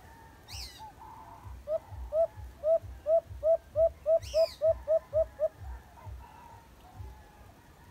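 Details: Caged white-eared brown dove, the alimokon, calling in a rapid run of about twelve hollow hoots spaced roughly a quarter second apart, accelerating slightly, over steady low rhythmic thumping, with two brief high chirps from another bird.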